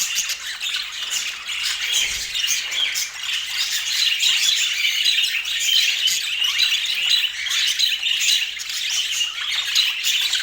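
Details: Rainbow budgies at their apple keep up an even, unbroken twitter of high chirps and raspy squawks for about ten seconds, with one soft thud early on.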